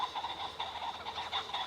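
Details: Common pheasants, possibly fighting, near chalk downland and woodland on a walk from Leagrave to Harlington, Bedfordshire, 2 September 2017: quick, harsh clucking notes, about four or five a second, over steady outdoor hiss.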